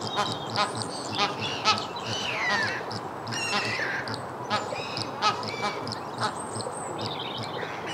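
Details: A rowdy group of flamingos calling together: overlapping honking, goose-like calls and nasal grunts from many birds, some notes sliding downward, over a steady wash of flock noise.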